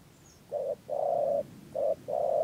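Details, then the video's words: Spotted dove used as a trapping lure in Đắk Lắk, Vietnam, 2022. Its cooing styles are called rền gù and chỉ gù. Four loud, mellow, low coos come as two pairs, each a short note followed by a longer, sustained one. "Bẫy Chim Cu Gáy 2022 Hàng Thổ Rền Gù Và Chỉ Gù"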